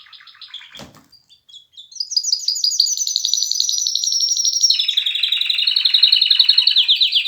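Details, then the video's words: Canary song with soft scratchy notes at first, then a loud, steady high trill that holds for several seconds and drops into a lower, rolling, pulsed trill. "کنری مست/خواندن کناری مست/قناری با صدای عالی/KANARYA sesi"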